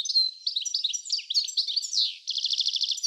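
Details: European goldfinch in a garden at Uddel, the Netherlands, on 10 April 2013: rapid tinkling twitters and liquid chirps high in pitch, ending in a fast buzzy trill of repeated notes.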